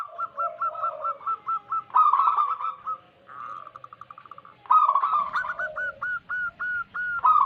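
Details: Wild-origin local zebra dove calling as a lure for trapping: evenly spaced hooked coo notes, a buzzy trill, a softer rapid pulsing run, then louder bubbling phrases and further separate notes.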